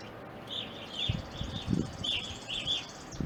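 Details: Evening grosbeaks in an Ohio backyard, present from winter 2020 into April 2021: a few downslurred chirps in pairs, mixed with low thumping and rustling nearby.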